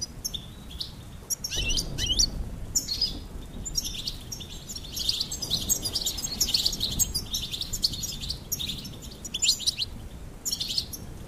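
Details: Goldfinch song: after a quiet start, a long, lively stream of bright twittering and jangling high notes with scattered sharp chirps, over faint background hiss.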